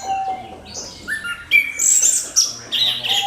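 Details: Lure song from an orange-headed thrush, used to set other birds singing. A low clear whistle is followed by loud, rapid high twittering and buzzy chirps arriving in dense bursts.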